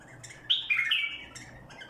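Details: Badrawi bulbul sings one barwaz phrase, a loud burst of liquid, slurred whistles lasting under a second, framed by faint soft chirps and a low background hum.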